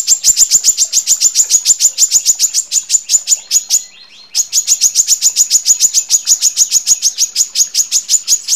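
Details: A female brown-throated sunbird gives sharp, very high chips, about four each second, in long unbroken runs with one brief pause. The recording is used as a training and lure recording.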